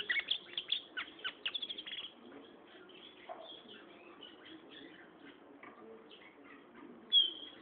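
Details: Gray Seedeater, a loud-singing seed-eating bird of plains and hill foothills, opens with a quick burst of sharp, high chirps over two seconds, then fades to soft, low twittering, ending with one clear whistled note.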